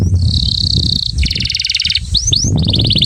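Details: Excited caged male canary singing to stimulate a female for mating: fast trilled rolls of rapidly repeated high notes, shifting to a lower buzzy trill, then two rising sweeps and another quick trill, over steady low rumbling noise.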